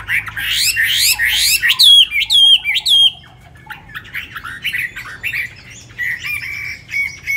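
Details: Tame caged Chinese hwamei in Hanoi, newly arrived the evening before: fast run of rising and falling whistled phrases, then a sequence of looping, slurred notes repeated about twice a second, fading into softer twittering.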